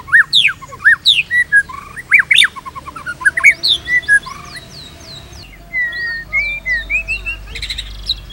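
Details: Varied shama song meant to rouse and tutor caged shamas: loud looping whistles and sharp upsweeps in quick succession, then softer, evenly spaced slurred notes and a short scratchy burst near the end.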